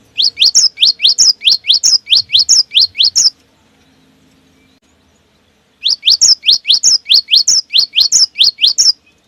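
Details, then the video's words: Cinereous tit song for luring other cinereous tits to sing, with long rolling runs: two long strings of about fourteen evenly spaced rising whistles, alternating high and low, separated by a brief quiet hum. "AMPUH memancing bunyi segala jenis burung gelatik batu, dijamin langsung GACOR"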